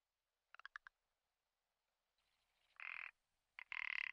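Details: Rock ptarmigan of the ridgwayi subspecies, Komandorsky Nature Reserve, in spring lek season, opening with a quick burst of dry clicks followed after a pause by two rasping, croaking bursts.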